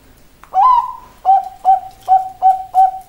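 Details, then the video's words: Bangkok-line zebra dove (perkutut) singing: a long, slightly rising opening coo followed by five short, clipped, mellow coos repeated about three times per second, each with a soft hollow tone, quiet background. "perkutut bangkok suara tergoda"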